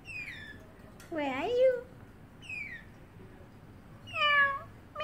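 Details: A parrotlet kept as a pet in a cage copies a cat's meow: high falling whistled slurs mixed with fuller, harmonic mews rising then dropping, three or four calls over five seconds indoors.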